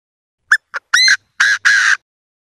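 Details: Two Chinese francolins calling to each other. One gives a loud, rasping phrase: a tick, a short bark, a ringing note, then two long harsh notes, delivered rapidly against silence.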